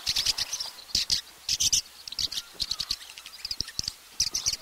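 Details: Swallow in Russia twittering in quick high bursts mixed with dry clicking, an irregular run of chirps and ticks.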